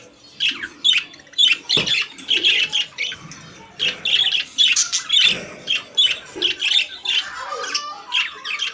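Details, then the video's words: Caged budgerigar song of rapid, grating chirps and squeaks, packed closely together with a soft low hum beneath and a thump early on. "Beautiful Budgies Singing in Cage | Singing Parakeet in Cage"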